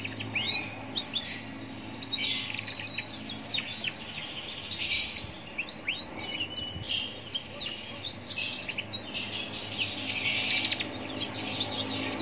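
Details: Young canary song recorded in a roadside setting to provoke other canaries into singing; dense, bright bursts of rapid chirps and trills come in waves with brief pauses, over a faint low hum.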